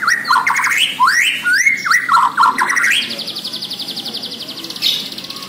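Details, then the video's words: Borneo white-rumped shama pouring out rapid rising whistled phrases, then switching to a long fast buzzy rattle held for about two seconds. "MURAI BORNEO GACOR DARRR DERRR DOORRR"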